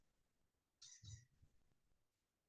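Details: A Blue Jay in the Carolina/Georgia Piedmont in fall, when jays grow loud and vocal, gives one harsh, scratchy half-second jeer call that lets other jays know of its presence. A faint low thump sounds beneath it against a quiet background.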